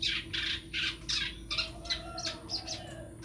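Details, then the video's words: Long-tailed shrike, groomed as a future champion songbird, gives a rapid series of harsh, raspy bursts about three per second, then thinner high chips over a faint low whistle; constant background hum. "calon cendet juara"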